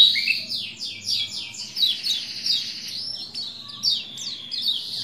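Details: High, rapid song of a Lombok white-eye used to stimulate males to sing, opening with a series of quick descending slurred whistles, then dense chattering twitters and thin trills, continuous throughout.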